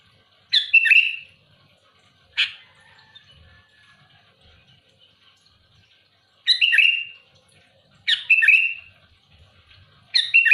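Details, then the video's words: Sooty-headed bulbul in loud, active song meant to challenge rival birds: five chattering, liquid phrases ending in a trailing whistle, spaced irregularly a few seconds apart, with faint low background rumble. "Suara burung kutilang gacor keras aktif menekan lawan muntahin isian besetan kasar keras pedas"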